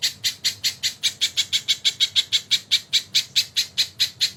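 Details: Crested jay in full song on a tutor recording with kingfisher-call fills: a steady run of about 20 harsh, rasping notes, sharply clipped and evenly spaced roughly four per second, with no other sounds.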